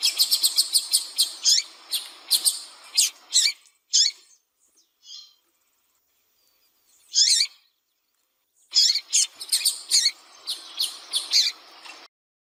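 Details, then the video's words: Female rusty-collared seedeater calling persistently, used to stimulate singing in a male; high, sharp chirps and short downslurred notes in rapid bursts, pausing, then resuming in quick series. "fêmea de coleiro piando e chamando muito para esquentar coleiro frio"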